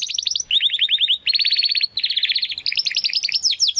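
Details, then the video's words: A young Spanish Timbrado canary in Classico style, still learning its complete song, delivers an unbroken run of fast rolling trills, switching every half second or so between tours of differing pitch and speed, all high and bright. "Canary Song - Spanish Timbrado Classico"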